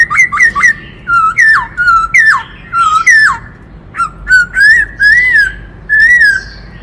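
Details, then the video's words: Many-voiced song of a black-throated laughingthrush: quick sliding whistles, then fluty falling phrases, ending in slower, smooth rising-and-falling whistled notes, all loud and clear. "Tiếng Chim Khướu Rừng Hót Đảo Nhiều Giọng Hay Kích Bổi - Khướu bạc má hót"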